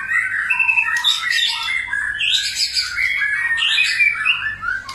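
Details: White-rumped shama singing in many voices: rich, varied whistled and fluty phrases that slide up and down, dense and overlapping with echo, some harsher squawky notes. A steady low hum sits underneath.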